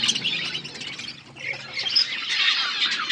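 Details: Eating budgerigars give a steady wash of high, scratchy chirps and warbles, dipping briefly in the middle before the group chatter swells again.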